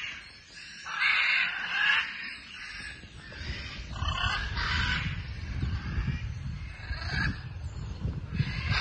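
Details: Scarlet macaws flying at Paradise Park in Hayle, Cornwall, give harsh, raspy squawks in loud bursts every couple of seconds, over a steady low rumble of wind and background noise.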